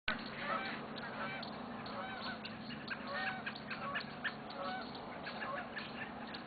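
Canada geese give repeated nasal honks over a busy dusk chorus of chirping and singing songbirds, with robins among them.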